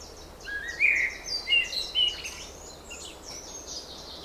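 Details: Songbird in spring giving a short burst of rising and falling whistles, loudest early on, then fading into soft distant twittering over a constant background hiss.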